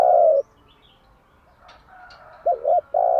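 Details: Spotted dove lure song recorded in the morning: the tail of a low steady coo, a short pause with faint distant chirps, then two quick hooked notes leading into another sustained coo.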